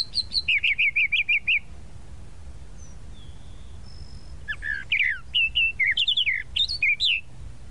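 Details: Tropical mockingbird (Mimus gilvus), song.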